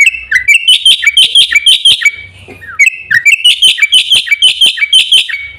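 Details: Black-winged myna singing two similar phrases, each a cascade of bright whistled and chattering notes rising then dropping, separated by a short pause.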